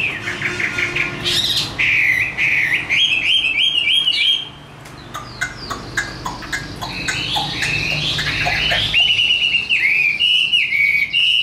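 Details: Chinese hwamei, a tame bird said to sing fighting song very well. Varied loud whistled phrases are interrupted midway by clicks and rustling, then resume with sweeping whistles and repeated slurred notes.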